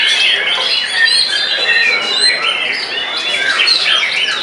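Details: Post-molt white-rumped shama pouring out frenzied song to overpower opponents: pure high whistles mixed with quick chirps and scratchy trills, steady and unbroken.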